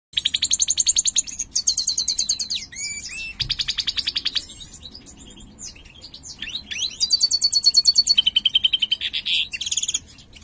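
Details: Mutated European goldfinch of the large 'jilguero mayor' form singing, a bird said to sing poorly: fast dry buzzy trills and high repeated twittering notes, broken by short rising and falling slurred whistles, with a low steady background hum.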